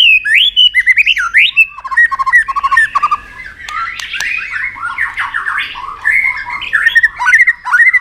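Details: White-rumped shama provoked into fighting song, with tail-flicking: loud, continuous varied phrases of whistles, slurred rising notes and rapid trills, mostly high-pitched, with sharp clicking notes mixed in.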